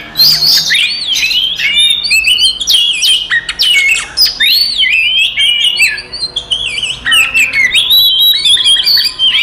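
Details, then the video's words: Aggressive fighting song of an Oriental magpie-robin, played to stir other magpie-robins to anger: continuous varied whistles, scratchy notes and up-down slurs, with a brief lull after about six seconds. "SUARA BURUNG kacer gacor TARUNG konslet paling AMPUH buat PANCINGAN KACER EMOSI"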